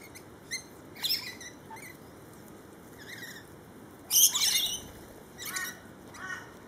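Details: Lorikeets in a feeding frenzy give harsh, shrill screeches and squawks in irregular bursts, several birds calling over one another, with the loudest outburst near the middle.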